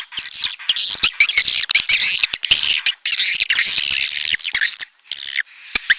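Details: Red-nest edible-nest swiftlet calling: continuous high, buzzy, chattering twitter with fast irregular chirps and clicks, briefly pausing near the end.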